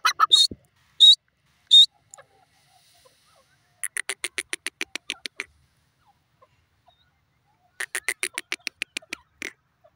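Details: Grey francolin, known locally as teetar: a few loud harsh notes at the start, then two bursts of short, sharp, evenly spaced clipped notes repeated in quick series, with near silence between the bursts.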